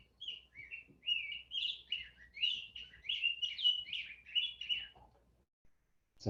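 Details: A Rose-breasted Grosbeak, a Vermont forest bird, sings a long, sweet, rich warble of rising and falling whistled phrases, like a robin that has had voice lessons: fuller, sweeter and smoother, running about five seconds.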